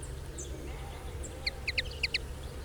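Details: Lesser redpoll (Acanthis cabaret) recorded in the wild, giving a quick run of six short, metallic chips in two tight bursts, over a steady low rumble of background noise.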